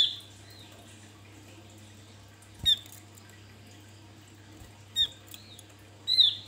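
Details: Javan white-eye, a male singing in full voice, used as a lure to provoke other birds: three short, high, squeaky notes spaced a couple of seconds apart over a steady low electrical hum indoors.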